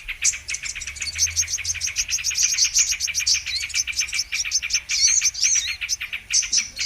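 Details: Sunbird called kolibri manggar, the Brown-throated sunbird, on a trapping lure: a steady, evenly spaced series of high, crisp chips with thin squealing whistles threaded through, lasting throughout.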